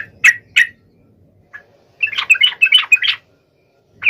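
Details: Sooty-headed bulbul in lively rival-calling song: two loud chirps, a faint note, then a rapid tumbling phrase of bubbly, warbled notes lasting about a second, with another chirp at the end.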